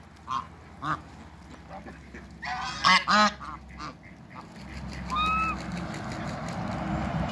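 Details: African and Toulouse geese on a farm, calling as another animal approaches. Isolated short honks build to a loud double burst of harsh calls midway, then a clear drawn-out honk near the end.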